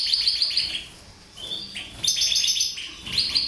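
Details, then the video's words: Mutation goldfinches: a fast, tinkling stream of high twittering notes and buzzy trills, with a brief pause midway before the chatter resumes. "Mutation Goldfinches"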